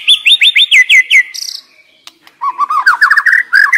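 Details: Singing white-rumped shama used as a decoy: a rapid run of seven clear, rising-falling whistled notes, a short pause, then a quick varied chattering and whistled phrase.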